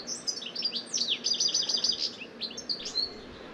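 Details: European goldfinch, a garden bird, singing a not very loud, restless, hurried tumble of high twitters and trills, leaping unpredictably between notes, with its call woven in.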